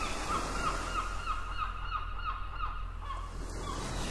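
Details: Port gulls utter a steady series of clipped, nasal yelps roughly three per second, fading near the end, with a low rumbling background of water and harbour sounds.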